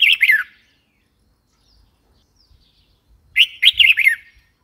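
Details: Red-whiskered bulbul delivering a brief descending whistled chirp, then after a pause a longer bouncy phrase of several rapid clear notes.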